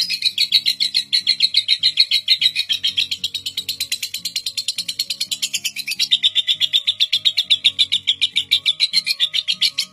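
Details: Lovebird in a record-holding ngekek performance, said to last seven minutes non-stop and used as a master to train young lovebirds: a continuous fast chattering trill of rapid pulses, steady and unbroken, over low background music.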